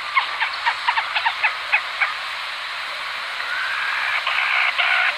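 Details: Black rail song: a run of short, sharp, harmonic notes repeated unevenly about three to four times a second for two seconds, then fading into a steady hiss of background noise.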